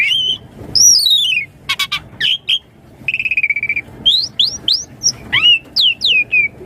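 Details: Lively song of an Asian pied starling, meant to draw young birds into replying fast: clear falling whistles, a harsh stuttering rattle, clicking notes, then a string of short rising and falling whistles over faint background hiss.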